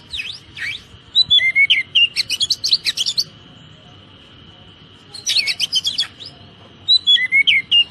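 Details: Oriental magpie-robin (kacer) training song for caged birds in the dense 'tembakan rapat' style: rapid, sharp chattering notes fired in tight bursts, with swooping whistles between them and a pause mid-way, over a constant thin high tone.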